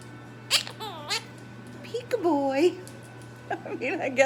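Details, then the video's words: Male pet Quaker parrot indoors, a bird that picks up words such as whatcha doin, good boy, peekaboo and peekaboy, talking in short bursts of sliding, wavering tonal syllables, three separate phrases with pauses, over a steady low room hum. "Quaker parrot Tilly saying peekaboo"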